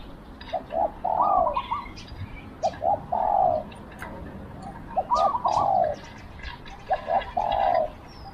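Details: Spotted dove used as a decoy bird to lure wild doves; short soft coos run into a longer rolling coo, phrases repeated about every two seconds, with faint chirps from other small birds above.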